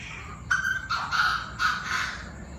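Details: Chinese francolins, many voices, calling noisily at 7 pm; three loud, harsh, grating notes in quick succession, each roughly half a second, with a faint steady insect buzz behind.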